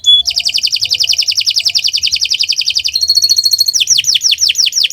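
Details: Canary song used as a training model for other birds, recorded in the morning: rapid high buzzy trills, then a bright whistled tour and a run of quick descending sweeps.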